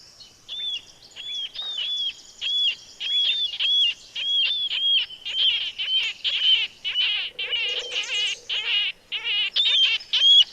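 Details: Marbled Murrelets, the endangered birds listened for near Mount Rainier's Carbon River, give loud, high, slightly rising 'keer' calls, almost two each second. Later the calls overlap into a busier, harsher chorus.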